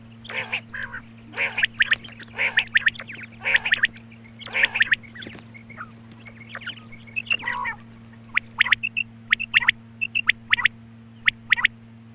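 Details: Morning calls of a female quail: dense harsh harmonic squawks in the first half, then sparser crisp high clicks and whistles, all over a steady low hum.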